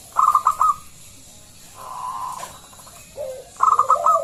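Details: Local zebra dove lure for other doves: a quick cluster of bright staccato notes, a steady sustained hum-like note, a short low coo, then another rapid staccato burst over a falling coo.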